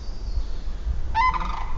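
Sandhill Crane giving one brief, rich, trumpeting note with a rolling edge near the end, over a steady low rumble of background noise.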